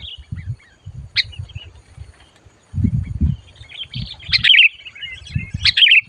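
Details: Sooty-headed bulbul, excited and fierce while being lured for trapping, gives scattered soft twitters, then louder, quick bubbly chirp phrases toward the end, over low rumbling and bumping noise.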